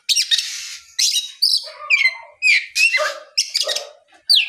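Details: Lure song of an Oriental magpie-robin in the afternoon, intended to get other magpie-robins singing: a string of short, sharp downslurred whistles and raspy notes, roughly one phrase every half second.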